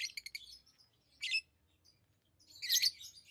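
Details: High, squeaky lovebird chirps: a quick stutter of notes at the start, one sharp chirp midway, and a louder scratchy burst near the end.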